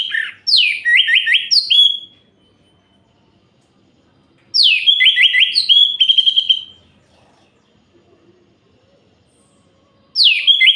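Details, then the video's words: Nocturnal orange-headed thrush song aimed at provoking rival males: phrases every few seconds, each a dropping whistle followed by rapid stuttered notes and a level fluty ending, with silent gaps between. "Suara Ini Bikin Gerah Anis Merah Lain"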